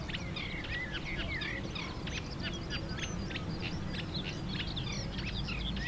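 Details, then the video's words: Reed warbler in song at Mechelen on 2 May 2024, a continuous chattering stream of harsh clicks, short whistles and slurred notes, repeated in rapid jerky phrases, with constant low traffic-like rumble behind. "Kleine Karekiet (Reed warbler, Acrocephalus scirpaceus)"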